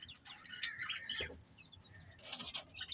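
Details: Budgies chirping: soft, quiet chatter of high, quick chirps and warbled notes, some overlapping, with low background rumble.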